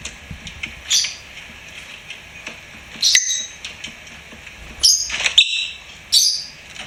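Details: Lovebird kept as a pet, chirping in scattered bursts: thin, sharp, high notes, some faint and some louder, with brief gaps between them.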